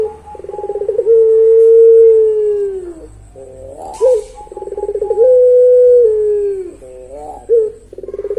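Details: Puter pelung dove singing the long-voiced pelung song: stuttering rolled notes swell into a long sustained low coo that slowly falls, the phrase repeated, with a brief hiss midway.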